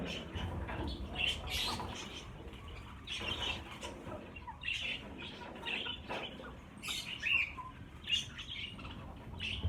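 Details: Budgerigars, a group of about 50 caged birds, being moved into a bigger flight cage; scattered short chirps and warbled notes over flapping wings and rustling handling noise.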